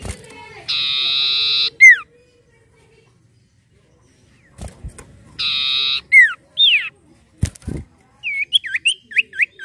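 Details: Common iora, lure song of an untrained 'bahan' bird: two strained buzzy rasps each ending in a loud down-slurred whistle, then a lively series of six short hooked, upswept whistles in quick succession.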